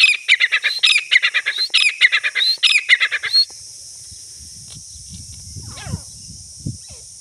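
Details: Fighting grey francolins give a fast series of shrill, squawking notes, roughly one per second in clusters, which stop abruptly midway and leave low rustling and scattered faint noises.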